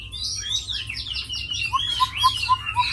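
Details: Tame caged hwamei, kept as a fighting bird, gives dense high warbling and sweeping whistles, joined by a row of five short lower piping notes spaced about a quarter second apart.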